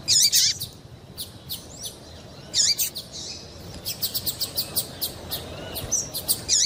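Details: Female double-collared seedeater giving calls meant to excite a male into singing: loud, sharp high chirps with bent, twisting notes near the start and middle, followed by a run of short, quick ticking chips, over a quiet background hiss.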